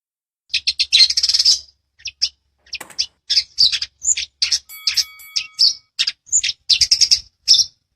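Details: Long-tailed shrike (cendet) in gacor style with tight rolls, a master recording for training birds; bursts of harsh, buzzy high chirps in quick clusters, broken by short pauses, with a few thin sustained whistles near the middle.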